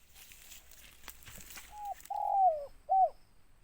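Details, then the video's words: Spotted dove with a big, deep voice and a closing note: after rustling noise, three low hollow coos, a brief one, a long one dropping in pitch, then a short rounded coo. "Tekukur suara besar ngeruk ada tindannya"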